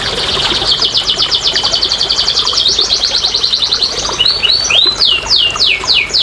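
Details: Canary song played to prompt lazy canaries into singing: a fast, even high trill of rapid repeated notes, followed by a run of down-slurred whistles, one every third of a second.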